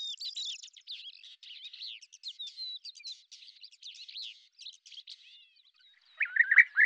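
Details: Lesser grey shrike in hunting flight in Azerbaijan: a quick, scratchy warble of mixed chirps and trills, fading slightly, then a louder, lower harsh call at the very end.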